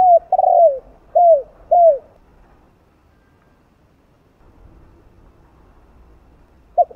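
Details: Spotted dove cooing in the 'giọng đồng 2 hậu' style, meant to rouse other doves. A long rough coo is followed by two falling end coos, then a long pause before the next phrase begins faintly.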